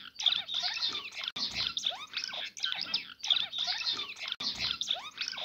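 Cut-throat finch giving a soft, buzzy, chattering song of rapid high notes with short rising slurs, repeated in phrases about every one and a half seconds.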